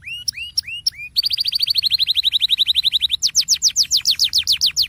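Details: Canary singing in the rolling ngerol style, used as a lure to make quieter canaries sing: three rising whistled notes, then a long fast even trill, then a run of sharply dropping high sweeps.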